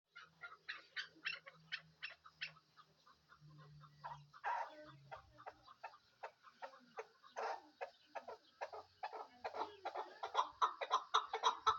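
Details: Desi chukar partridge kept for hunting, giving a long run of faint clucking notes that speed up and grow louder toward the end. A low hum sounds early on.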